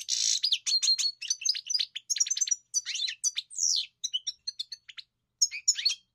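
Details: Lively European goldfinch song, a dense stream of bright twittering and clipped chirps mixed with a few scratchy notes, nearly continuous for six seconds with only brief gaps.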